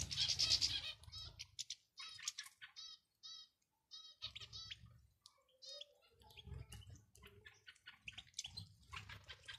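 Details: European goldfinch male and female calls, used to stir a male goldfinch into singing: bright twittering bursts of stacked, ringing notes in quick series, with short pauses and low rustling or thumping noises between phrases.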